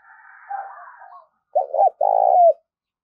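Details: Spotted dove kept as a decoy bird gives low, hollow cooing notes: a soft murmur first, then two strong, rounded coos about half a second each.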